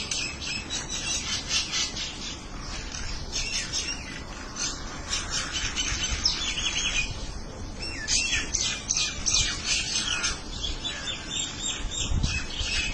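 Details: A flock of birds chattering together, with overlapping high twitters and tweets running without pause through the whole stretch and a faint low thump near the end.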